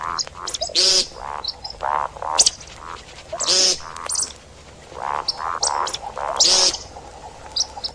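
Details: Hunting recording of see-see partridge: steady mellow notes roughly twice a second, punctuated by three loud harsh rasping bursts spaced a few seconds apart.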